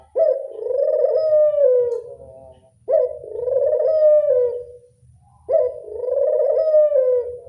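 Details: Collared dove said to answer calls readily; drawn-out low rolling coos about two seconds long, each starting with a sharp onset and tailing off, repeated roughly every two and a half seconds over a faint low hum.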